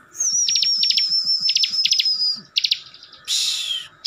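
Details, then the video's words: Caged Bar-winged Prinia from Slawi, Central Java, in provoking ngebren song: a long thin high whistle held over clusters of fast chips, then more chip groups and a final harsh descending buzz. "CIBLEK GACOR FULL NGEBREN || BIKIN CIBLEK LAIN NYAUT DAN EMOSI"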